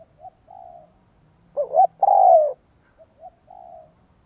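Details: Spotted dove used as a lure for wild doves: gentle distant-sounding coos on both sides of one loud phrase of warbling stuttered notes ending in a long, mellow, falling coo.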